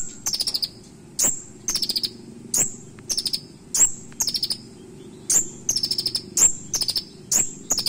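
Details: Leptocoma sperata, the kolibri ninja, delivers a sharp 'nembak' style song filled with imitations: crisp ticking strokes with a brief very high whistle, each followed by a quick string of five to seven shrill notes, repeated throughout.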